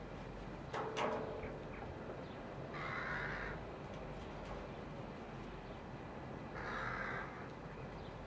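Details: Rooks with chicks in July 2021 give two harsh caws spaced about four seconds apart over a noisy background, with a short clatter near the start.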